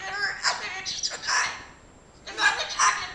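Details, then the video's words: A cockatoo named Loli talks in short, raspy, speech-like bursts, two phrases split by a brief pause, with a person speaking Spanish nearby. "talker cockatoo"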